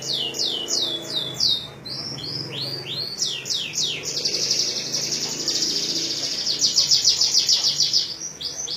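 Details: Canary singing in the style of the ciblek (bar-winged prinia) of Majalengka: a run of quick descending whistled notes, then a long bright buzzy trill and a rapid pulsed rattle, loud and clear.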